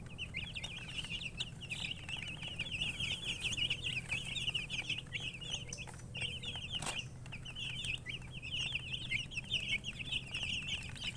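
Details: A crowd of chicken chicks chirping steadily for over ten seconds, high rapid peeps in dense runs, a brief gap and a sharp tap partway, low droning noise underneath.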